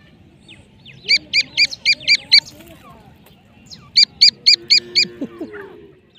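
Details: Teetar, a francolin, gives two bursts of six sharp, ringing notes in quick even succession, separated by a few seconds' pause, with a soft rumbling background and faint lower sounds near the end.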